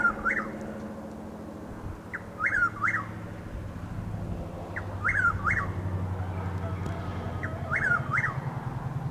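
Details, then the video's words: Chuck-will's-widow in Highlands County, Florida, on an April dawn with drizzle and overcast sky: four quick, emphatic whistled phrases, each opening with a short note, repeated every two to three seconds, low rumble beneath. "Chuck-will’s-widow (Antrostomus carolinensis Gmelin 1789) making its call"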